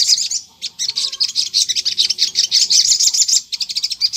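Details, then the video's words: Crimson sunbird singing energetically as a lure recording meant to make other sunbirds answer; rapid high-pitched twittering chatter in dense bursts, with short pauses near the half-second and three-and-a-half-second marks. "PANCINGAN SOGON GACOR NGLEPER || di jamin burung sogon nyaut"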